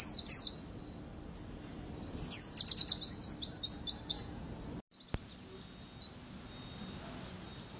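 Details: White-eye singing in the zipper, wir wit and continuous ngecir styles, meant to prompt other white-eyes to sing. Long run of rapid, high, descending chirps and twitters, broken by a brief cut before the chatter resumes.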